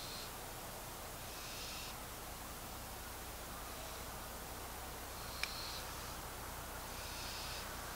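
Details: At night, a young wild barn owl that has dropped to the ground and walks around gives soft, breathy hisses, each about half a second long, repeated every second or two over a low steady background rumble.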